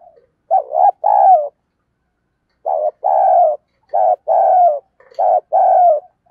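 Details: Decoy spotted dove cooing to lure wild birds: three loud phrases, each a short stuttering note followed by a long, slightly falling throaty coo, separated by pauses of about one second. Nothing else is audible.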